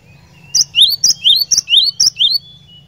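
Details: Glatik batu song, played so a caged cinereous tit joins in: about five repeated two-note phrases, a high piping note followed by a lower upslurred whistle, delivered briskly over a faint hum.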